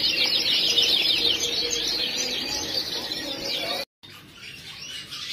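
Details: Canary song: dense, continuous high warbling trills and rapid chirps for nearly four seconds, then a brief silence and a quieter stretch with faint background noise.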